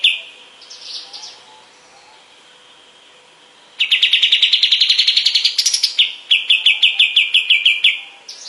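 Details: Master recording of a kapas tembak bulbul, meant for teaching songbirds like cendet, cucak ijo and murai; after faint opening notes comes a long, fast rattling trill of sharp repeated chips, briefly jumping higher, then a second quick trill.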